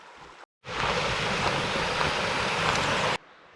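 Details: A steady roar of broadband noise like wind or a passing vehicle in a Vancouver Island forest, broken by a short silence near the start, with no animal sounds heard.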